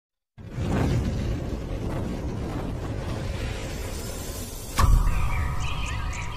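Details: Dense, bass-heavy music with a sharp whoosh and crash near the end, and no animal voice.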